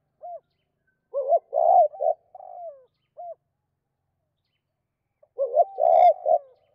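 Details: Spotted dove calling to hens in the two-part '2 cốt' style. A quiet single hoot leads into quick stuttering coos, a loud burred note and a sliding falling tail. The full phrase repeats after a four-second gap, clean and without background.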